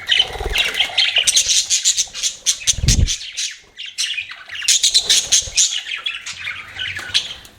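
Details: Budgerigars kept as pets chatter in scratchy bursts of chirps and squawks, a low thump near the middle, then a brief lull before the chatter returns.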